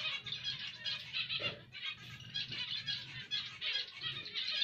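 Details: Zebra finch chatter: rapid, nasal, buzzy notes run almost without a break, with a soft low hum throughout.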